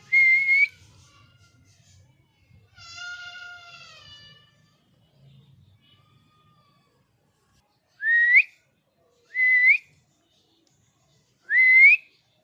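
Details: Angry pet parrot giving three short, rasping upward-sweeping squawks about one to two seconds apart, after a quieter stretch with a brief harmonic tone and faint low rumbling.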